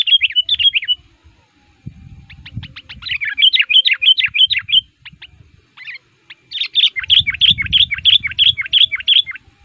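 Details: Agitated sooty-headed bulbul, said to be active and pressing rivals, used to attract wild males in the forest: a short chattering burst, then long fast runs of sharp repeated chirps, with dull low thuds in the background.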